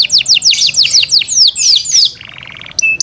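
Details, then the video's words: Kept Yorkshire canary delivers a run of quick descending whistled sweeps, followed by a low rattling trill and a couple of sharp high notes. "Yorkshire canary Nice sound"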